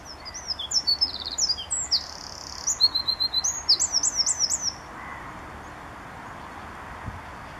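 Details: Morning song of one of several Eurasian wrens at RSPB Saltholme on 1 April 2014, Canon SX50 HS: a vigorous shrill outpouring of rattling trills and sharp high notes for nearly five seconds, followed by quiet background.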